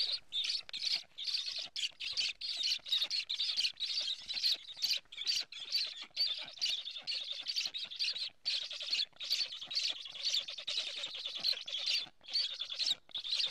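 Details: Black stork chicks begging on the nest in Estonia, recorded by a live nest camera on 15 July 2017 at 11:15 while a strange stork is around the nest; dense, fast, squeaky high calls tumble over one another almost continuously.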